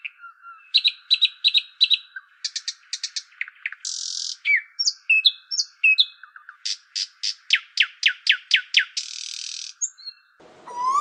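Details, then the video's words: Bird sounds in a quick varied series: clusters of rapid high chirps, buzzy bursts, downslurred whistles and a run of fast descending notes, over a faint steady tone, ending in a low rough noise. "चिड़िया की आवाज"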